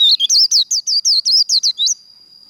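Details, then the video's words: White-eye twittering in the 'líu đấu' fighting-song style for contest training: about eleven quick, high, looping whistled notes in two seconds, then a thin sustained tone remains. "Vành khuyên líu đấu"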